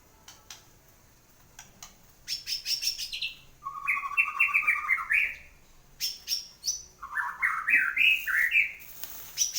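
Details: After moulting, a kept white-rumped shama sings vigorously: sharp clicks, a high rattling burst, then loud rising runs of rapid, stepped whistled notes repeated in several phrases with brief pauses.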